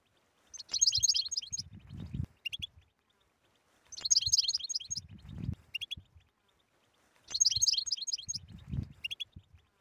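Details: European goldfinch 'btbta' song, a stimulating recording for silent goldfinches: three identical bursts of quick, high, jingling twitter roughly every three and a half seconds, with low rumbles after each.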